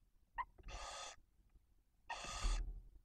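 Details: Barn owl brooding young chicks in a nest in Cabañeros National Park, Spain. A brief squeaky chirp is followed by two long, harsh hissing bursts, each close to half a second, with a pause between.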